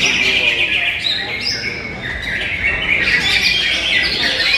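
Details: Greater green leafbird singing in a bird singing competition at Pasuruan, Indonesia: a busy stream of bright, high, varied whistled phrases and chirps, with other birds and crowd noise behind.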